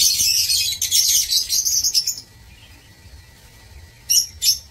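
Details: Lovebirds in a breeding aviary, 16 March 2024: two seconds of intense shrill squealing chatter, a silent gap, then two sharp high chirps close together.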